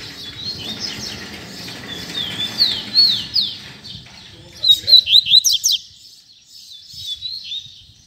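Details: Double-collared seedeater singing in the tui tui zel zel style: quick high whistled notes and sharp down-slurred sweeps, louder bursts near the middle, with a low rumbling background and a pause before faint closing notes.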